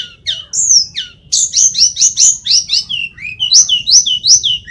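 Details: Energetic song of the Indonesian mountain sulingan (tledekan), a flycatcher: quick slurred whistles leading into a steady string of about a dozen paired, rising-falling notes, repeated evenly.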